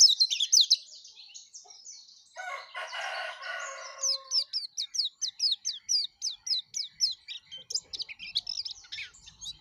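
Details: Yellow-breasted white-eye singing vigorously, offered to lure other white-eyes: high twittering opening, a short harsh raspy burst from another source, then a regular chain of sharp descending chirps.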